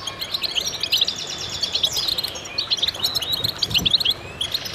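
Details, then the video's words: Goldfinches in a singing chorus, many high twittering and buzzy notes overlapping densely, with a few brief low thumps in the background. "voices a chorus of goldfinches in concert"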